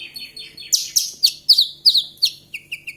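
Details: Javan bush lark singing a fast series of sharp, downslurred chips about every quarter second, ending in lower, softer notes.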